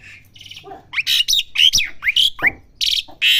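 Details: Young Asian pied starling rehearsing its song: soft murmurs build into loud upward-sliding whistles and harsh buzzy bursts, irregularly spaced.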